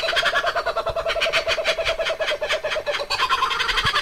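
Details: A Laughing Kookaburra (Dacelo novaeguineae), a bird of Australian eucalypt forests, gives its loud, monkey-like laughing call: a rapid, continuous run of harsh, rolling notes, about ten per second, building in excitement.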